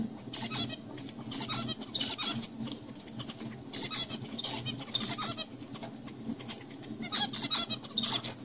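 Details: Adult male zebra finches tutoring young males by singing to them in a university lab; clusters of rasping, noisy high notes and squeaks repeated in bursts through the recording over a steady low rumble.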